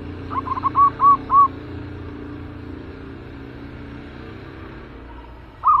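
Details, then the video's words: Aggressive caged zebra dove, kept ready for trapping, giving a quick burst of about six short, hollow, bubbling coo notes in a row, then a lone matching note after a long pause; faint low hum behind. "Naik Lagi Merbuk Galak Sangkar"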